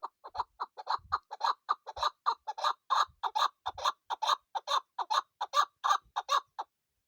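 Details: Female chukar partridge kept for hunting, giving a fast run of harsh clucking notes, about two to three per second, steady for seven seconds, no other sounds.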